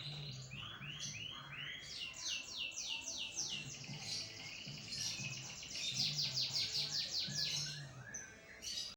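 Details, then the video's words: Canary of the lopper type singing vigorously: quick rising trill syllables shift into fast, bright, high rolling runs, a steady low hum beneath. "kenari lopper gacor"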